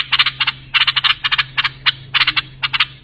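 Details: Bulbul song phrases (lisanat) meant for teaching young bulbuls: short bright clicking notes in quick clusters of two to four, repeated irregularly over a constant low background hum.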